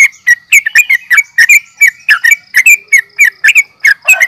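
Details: Sooty-headed bulbul, known locally as trucukan, in a provoking fighting call used to stir rival birds: a rapid series of sharp, bright chirps around two to three per second, each note slurred and ringing, steady and insistent throughout.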